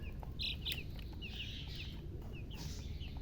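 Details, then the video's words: Chicks of domestic chicken chirping from thirst for drinking water: brief high peeping notes scattered every half second or so, a pair of louder peeps early, over a steady low rumbling background noise. "Murgi chicks Chirping sounds with thirst for drink water"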